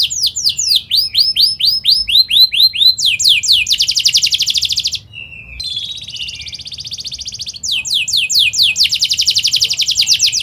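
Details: Canary singing a fast, dense song used as a training lure for young birds: repeated descending whistled sweeps, then rapid buzzy trills and rolling phrases, rhythmic and loud throughout.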